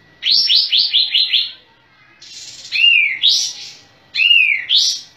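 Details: Sooty-headed bulbul singing actively with its tail spread: a quick run of five bright, descending whistled notes, then a pause and pairs of arched, slurred whistles that rise and fall, with a faint steady tone underneath and quiet surroundings.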